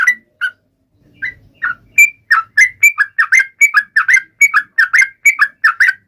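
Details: Yellow-vented bulbul in taunting-rivals song: a few scattered whistles that build into a dense, fast sequence of sharp bubbly notes, clean and loud.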